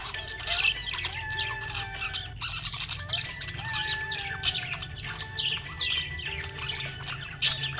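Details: Happy budgie chattering in a steady stream of quick scratchy chirps and short warbled notes, set against sustained music-like tones and a low hum throughout.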